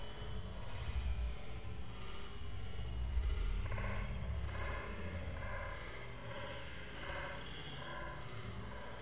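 Steady low rumble with broadband hiss, likely wind or distant traffic, and no animal calls.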